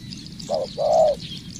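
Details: Spotted dove under training as a decoy, one short coo followed by a longer, steady mellow note, with a quiet hiss of distant chirping behind.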